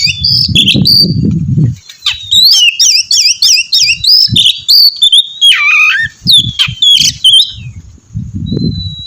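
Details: Oriental magpie-robin singing loudly to prompt another to sing, a varied run of whistled notes with rapid repeated rising-falling phrases around the middle, some harsh buzzy notes, and low thumping sounds at start and end.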